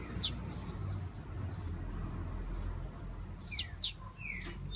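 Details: Female blue-black grassquit ready to breed gives a series of sharp, high chips, a few faint rapid ones at first, then louder paired notes and two falling slurred whistles.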